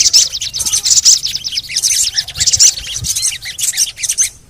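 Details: Crimson sunbird (sogon) lure recording: a steady stream of quick, high, scratchy chirps and trilled ticks with several brighter squeaky peaks, fading out at the end.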